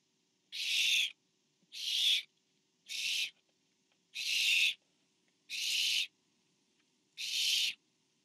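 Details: Barn owl nest in September, parent bringing food to an owlet; six broad, breathy screeching hisses in steady succession, each about half a second, with brief gaps between.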